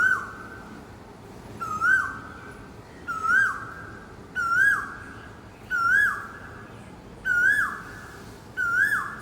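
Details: Asian koel perched in a park tree in the morning, giving a clear whistled note that bends up and then slides down, repeated about every one and a half seconds across seven calls over a low steady background hum.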